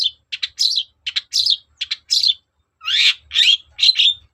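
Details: Persistent long-tailed shrike lure song for prompting a reply: short clipped chips in pairs alternating with harsher buzzy notes, then three longer rasping, slurred calls near the end, all high-pitched with pauses between.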